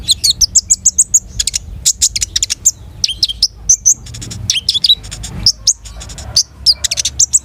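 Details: A long-tailed shrike delivers a dense, varied song. Clusters of shrill chirps and whistles come in fast bursts, mixed with short rattling trills, over quiet low background noise.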